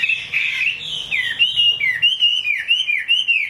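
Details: Chinese hwamei singing in the rain, kept as a cage bird: clear, fluty whistles in looping up-and-down phrases, repeated about once a second, steady and loud.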